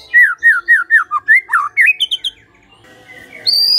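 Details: A lure song of the white-rumped shama, meant to prompt other birds to sing: about ten evenly spaced downslurred whistles, then quicker upswept notes, followed by a fainter stretch and a final high tone.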